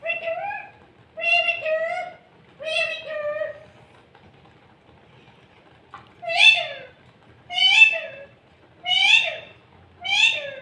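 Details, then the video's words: Pet parrot talking inside a cup indoors: repeated harmonic, voice-like phrases, some with a falling end, come in bursts about every one to one and a half seconds. There is a pause around the middle, and the room is otherwise quiet. "Parrot talking in cup funny"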